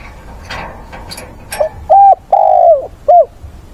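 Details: Spotted dove decoy singing to goad wild doves and call a mate: soft rustling first, then a clear coo, a long sliding croo and a short falling final note.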